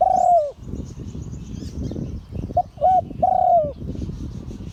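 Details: Spotted dove crowing, a prized auspicious-type bird: a long falling coo, then short note, brief coo and another long drooping coo, set against steady low rumbling noise and faint high chirping.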